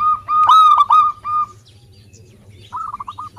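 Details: Vocal local zebra dove: a loud ringing phrase of several linked notes, followed by a pause and then a quieter rapid trill.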